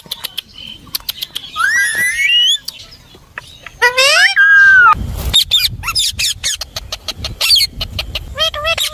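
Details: Talking ringneck parrot gives sweeping, speech-like harmonic phrases that climb and fall, mixed with rapid clicking and a burst of louder, rougher vocalizing near the middle.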